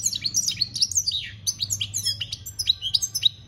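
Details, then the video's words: Dense, continuous campero-style song of a European goldfinch, 2021: fast, bright, tinkling chirps and sweeping slurred notes tumbling one after another without a break, with faint low hum behind. "Goldfinch singing - Jilguero Cantando Campero - Chant Chardonneret"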